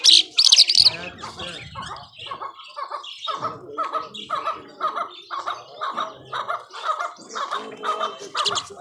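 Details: Irani Mashadi jhal, a skylark, singing nonstop and powerfully: a brisk run of short buzzy and chirping notes repeated about three times a second, with a few higher squeaky bursts near the start.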